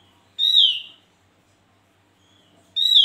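Javan grey-throated white-eye giving loud, ringing whistled notes that slur downward, two phrases about two seconds apart, with quiet background otherwise.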